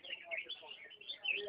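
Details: A red-whiskered bulbul singing while dancing, dated 4 June 2014, pours out a fast, unbroken stream of bright, chattering warbles in a high register, with brief sharper notes near the end.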